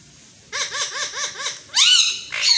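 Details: Talking Indian green ringneck parakeet, a pet bird that mimics Urdu/Hindi. Five quick arched, laugh-like notes in an even rhythm lead into a loud, rising-falling squawky phrase and a final bright burst.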